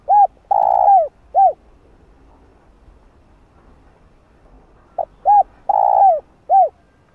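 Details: Spotted dove calling to attract and provoke wild doves. Two clear phrases: brief coo, long vibrating coo falling away, then a clean closing coo, with a quiet gap of about four seconds between them.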